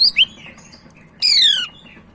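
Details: Sumatran leafbird, Medan type, singing: two quick high whistled slurs, a pause, then a long descending harsh buzzy note.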